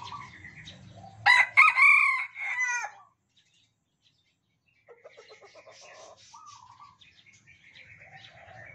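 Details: Sumatran Red junglefowl raised in captivity, crowing back and forth with cage mates; after faint background chatter comes one strong, ragged crow of several stacked bursts, then a pause and quieter bird chirps and twitters.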